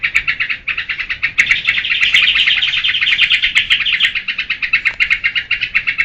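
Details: Geberan-style song of a sooty-headed bulbul: steady chirping that runs together into a fast, buzzy trill for a few seconds, then breaks back into separate bright notes at a brisk pace.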